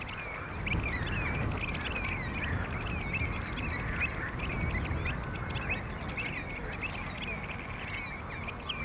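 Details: Several pied avocets at Skanör and Falsterbo, Sweden, in June 2015. Many short piping calls overlap continuously above heavy low wind rumble.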